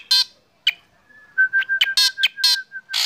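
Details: Morning sunning session of a caged black drongo: loud raspy bursts and quick sharp notes, packed densely in the second half, over a sustained flat whistle from another bird prompted to sing.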